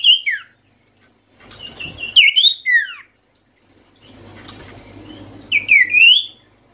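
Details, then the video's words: Oriental white-eye in full voice, played to lure quiet or stressed white-eyes into calling: short high whistled phrases with sharp downward slurs come in three bursts, separated by pauses with a faint low hum. "sirtu malas bunyi pasti langsung nyaut dengar pangilan SIRTU/CIPOH ini"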